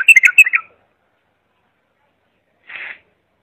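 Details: Bulbul song for tutoring young or non-singing bulbuls: a quick burst of bright chirped notes in under a second, then silence and one short buzzy note near the end.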